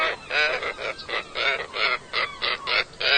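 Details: Scarlet ibis giving a series of nasal, harmonic honks, about eight short bursts in three seconds with brief gaps between them.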